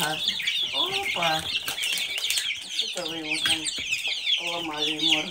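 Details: Silkie chicks peep high and fast throughout while a lower, voice-like sound with stacked tones comes in short bursts.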